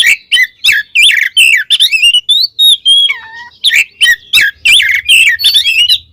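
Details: Kacer (Oriental magpie-robin) in ngeplong song, calling out a rival: a lively, continuous string of varied twisting whistles, including one lower descending wavering phrase midway, with a faint low hum beneath.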